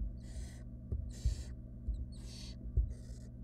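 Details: Barn owl nestlings, wild, in a nest box while their mother delivers a rodent. Four rasping, hissy screeches, each about half a second long, with soft thumps and shuffling between them.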